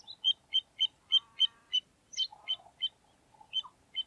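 Little ringed plover giving a rapid series of short, high piping notes, about three per second, with a faint lower buzzing in the background.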